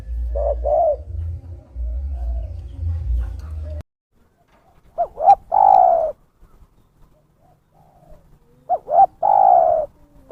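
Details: Spotted dove lure call for trapping: coos over a low hum, then after a quiet break two clean phrases of quick clipped notes ending in a long, slightly falling coo.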